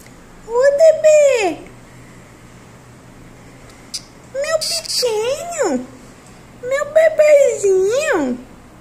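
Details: Cactus parakeet chick (periquito da caatinga) indoors: three drawn-out, harsh, wavering calls, each rising then bending down and dipping again, spaced a few seconds apart in a quiet room.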